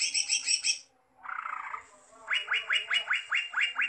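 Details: Greater green leafbird singing energetically: a high buzzy chatter, a brief pause, a lower harsh burst, then a regular series of falling whistled notes repeated several times per second.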